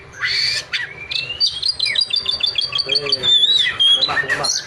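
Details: Oriental magpie-robin in vigorous song, opening with harsh rasping notes, then a long rising whistle followed by a quick series of repeated clear whistled notes and buzzy flourishes, loud and close.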